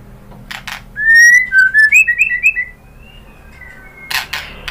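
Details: Lure song of a white-rumped shama meant to excite another bird into singing: a clear whistled phrase of linked rising and falling notes, then a soft drawn whistle and a few clicks.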